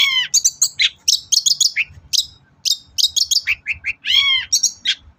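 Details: Indonesian lure recording of a long-tailed shrike: a varied medley of quick high chirps, trills and looping falling whistles, delivered in rapid phrases with short gaps.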